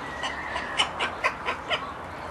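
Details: Talkative parrot giving a run of short, bright, clipped chirps and squawks, about five sharp notes spaced roughly every quarter to half second, over a low steady hum.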